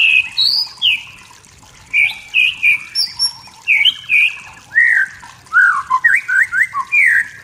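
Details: Wild white-rumped shama in forest, singing to provoke rivals, pours out varied whistled phrases: high clear notes, downslurs and quick rising swoops in short bursts separated by brief pauses.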